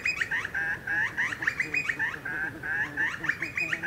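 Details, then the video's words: Continuous fast cackling of a Grey Butcherbird in the Australian bush, roughly three to four harsh, laughing notes per second repeated without a break. "Grey Butcherbird Calls & Song"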